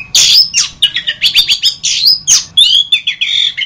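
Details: Orange-headed thrush master song for training other birds: dense, rapid run of varied whistled and chirping phrases, sharp downslurred notes alternating with short rising whistles, scarcely pausing, loud and close.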